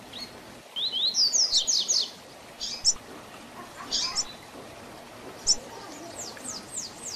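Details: Double-collared seedeater, 'Tui Tui Zel Zel Diferenciado' song for young birds to learn, opens with a loud rapid series of high downslurred whistles, followed by spaced single chirps and a softer closing trill.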